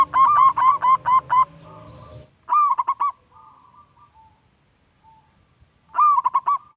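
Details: Local young zebra dove song meant to coax lazy perkutut to call: six quick staccato coos over a low hum, a short burst near the third second, a long quiet stretch, then another clipped phrase.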